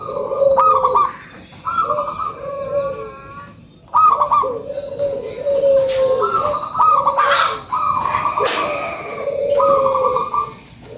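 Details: Lively local zebra dove sings a lure song, rapid strings of short, bubbling coo notes in repeated phrases with brief gaps between bursts, clear and dominant throughout.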